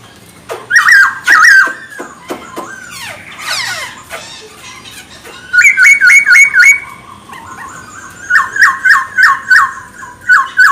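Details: Energetic Chinese hwamei song for rousing other birds: bright whistled phrases, a rattled passage, then fast runs of repeated rising whistles, each run several notes long.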